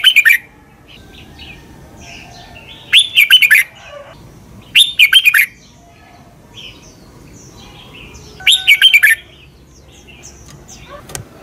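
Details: Red-whiskered bulbul, Thailand, singing the doubled southern master-style song for young birds to copy. Short, bright, fluty phrases of rapidly slurred notes come at irregular gaps of two to four seconds, with faint background twitters between.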